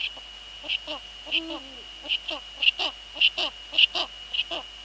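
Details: Evening at a Eurasian eagle-owl nest in the Netherlands, 2 February 2013, 19:15, female at nest and male close by: a single deep tonal hoot midway, surrounded by a fast series of sharp ticking sounds and constant electrical hum.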